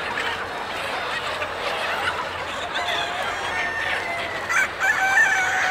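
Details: Chickens on a chicken farm: a busy background of many clucking birds, with a rooster's drawn-out crow rising near the end over the continuous flock chatter.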